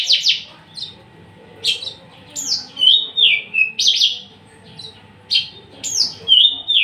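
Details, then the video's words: Captive male Javan bush lark, tame, unringed and ready to breed, sings well. Sharp downward-sweeping notes alternate with clear, falling whistled phrases, repeated about every second. "branjangan javanica MH nonring jinak galak siap jadi pejantan gacor dor"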